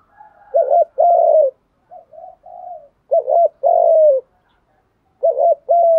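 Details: Spotted dove lure call for attracting wild doves: three phrases, each a quick doubled wavering coo and then a long falling coo, with soft lower coos between the first two.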